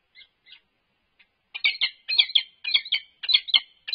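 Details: At a UC Berkeley nest box on 3 November 2021, an unknown male peregrine falcon interacts with the resident female from the box top. Two faint notes precede a burst of loud, rapid, grating chatter in paired notes.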